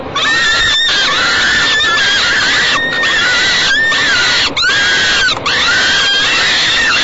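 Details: At a Great Spirit Bluff nest box, falcon babies get fed by the mother, 28 May 2013 around 6 pm; a constant stream of hoarse, drawn-out squealing calls, each bending slightly downward at its end, overlapping one another.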